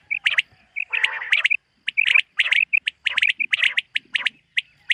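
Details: Morning in a summer meadow with common quail calling: clipped whistled notes and sharp broadband strokes in bunched groups, one brief harsher rasping burst, gaps of silence between phrases.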